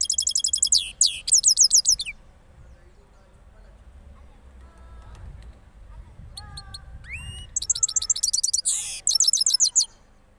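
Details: Cross goldfinch after moulting, Parachinar: fast high trilled phrases open and close the passage, with a quieter middle holding lower whistled notes and faint background sounds.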